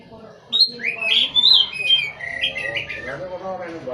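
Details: An Oriental magpie-robin sings a varied run of sweeping whistles and slurred notes, rising and dropping in pitch, followed by softer warbling chatter with a faint noisy background.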